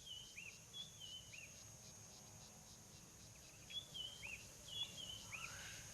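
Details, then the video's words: White-browed Scrub Robin in summer in Southern African woodland, giving faint, high whistled notes in short slurred phrases, repeated a few times in the distance over a steady pulsing insect drone. "You can hear the white-browed scrub robin in the background."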